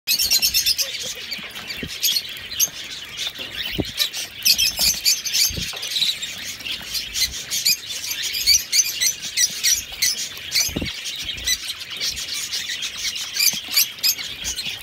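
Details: A busy chorus of diamond (mandarin) zebra finches in an aviary gives high, nasal chirps and buzzy notes with no pause.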